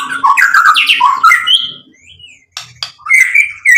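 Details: White-rumped shama song meant to provoke rival singing: fast chattering warble, then a quiet gap, a soft gliding whistle, and renewed short whistled notes.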